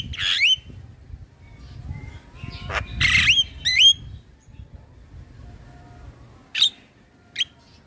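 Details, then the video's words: Male Javan myna singing vigorously, used as a lure and tutor recording for young birds: sparse bursts of harsh squawks and short rising whistles separated by pauses, with a low rumbling background. "Suara Jalak kebo Jantan Gacor Isian Buat Jalak Kebo Bahan Ikut Bunyi"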